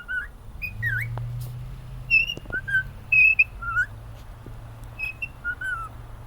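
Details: A happy male cockatiel at home sings a melody of clean whistles, a looping dip early on, then sustained level notes and soft falling slurs, accompanied by a low steady hum and a few clicks.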